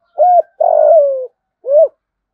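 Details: Spotted dove giving the 'giọng thổ' style of call, used as a lure to attract wild doves; three clear low coos, a short note, a longer drawn-out falling coo, then a brief final note after a pause, in silence.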